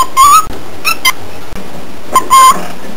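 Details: Pet cockatiel giving short whistled notes: a rising whistle, then two brief chirps, a pause, and another short whistle followed by a longer level whistle, over a quiet background hum.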